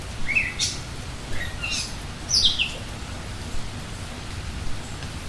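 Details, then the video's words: A bird in the rain gives a few short, high chirps and a quick descending twitter, spaced irregularly, over a steady hiss of falling rain. "Bird in rain"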